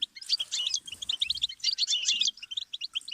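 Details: Goldfinch song used as a learning stimulus: dense tumbling chirps and buzzy notes, with faint low rustling underneath in the first half.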